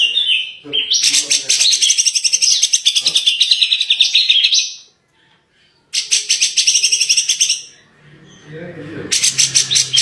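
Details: Grey-cheeked bulbul (cucak jenggot) in full, rapid-fire tembakan song: dense, buzzy high trills of fast repeated notes, a loud burst for four seconds, a pause, then two shorter bursts.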